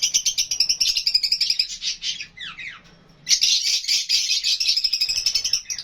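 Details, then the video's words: Lovebirds, with Fischer's lovebirds and budgies, chirping and calling as they interact: dense, rapid high chirps about four per second, a short lull with a few down-slurred squeaks, then renewed continuous shrill chatter. "Love Birds HD Sounds"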